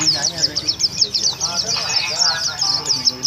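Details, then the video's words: Oriental white-eye (pleci) singing before a contest, a rapid stream of high thin chirps and trills repeated throughout, with faint speech in the background. "Kicauan Pleci"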